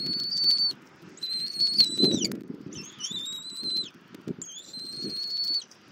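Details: During a long breakfast feeding by its mother, a bald eagle eaglet in Southwest Florida, 24 February 2024, gives four high, pure whistles, some bending downward, with a thump and nest rustle in between.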